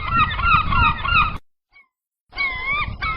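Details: Gulls on the open sea: a flock giving overlapping, wavering, nasal calls with a low rumbling background, broken by about a second of silence before the crowded calling resumes.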